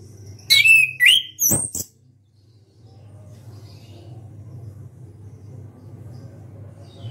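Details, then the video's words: Orange-headed thrush singing loudly with open beak: a quick burst of sliding whistles and sharp high notes lasting under two seconds, followed by a steady low hum. "ANIS KEMBANG SUARA KERAS BUKA PARUH"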